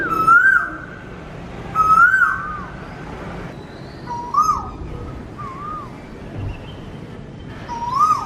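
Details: Asian koel in Vizag calling with a series of rising whistled notes, about five in eight seconds, some lower and softer, over steady background noise and a faint higher bird chirp.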